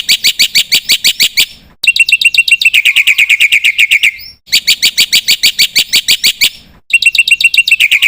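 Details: Energetic Black-winged myna song full of filler phrases, meant to spur other birds: bursts of rapid ringing chirps broken by short silences, some runs sliding into lower buzzy trills.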